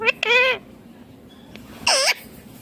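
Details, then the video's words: Green Indian ringneck parakeet, said to be talking: two bending, harmonic-rich calls in quick succession, a pause, then one arched, nasal call, over a low steady background hum. "Indian Ringneck Green Parrot Natural Sounds || mithu baat Kat raha hain"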